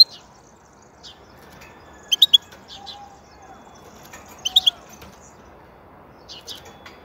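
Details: European goldfinch singing: two brief bursts of three quick, high, tinkling notes, about two seconds apart, with a faint softer phrase near the end and long quiet gaps between.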